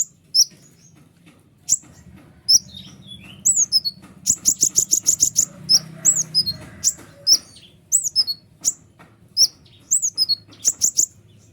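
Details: Sharp, clear white-winged triller song for training other songbirds: sparse high chips build into a dense run of rapid staccato notes and dropping whistles, continuing in steady clustered phrases.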